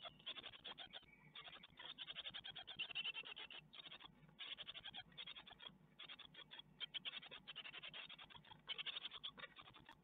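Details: Great tit young in an Ostwald nest box, 12 May 2021, receiving a spider, webcam footage: long run of thin, high chirps in rapid rhythmic clusters, steady across the whole stretch, with light scratching below.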